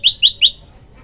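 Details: Male olive-backed tailorbird, singing actively and calling to a female: three loud, sharp, bright chirps in quick succession about a fifth of a second apart, then a faint thin high note before quiet.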